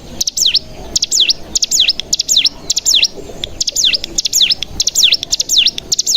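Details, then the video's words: Bar-winged prinia lure recording for making birds sing: repeated high zigzagging double notes, sharp clicks before each, given at an irregular pace of roughly two per second. "Pancingan Cigun Bahan Agar Bunyi Langsung Ngebren Paling Ampuh"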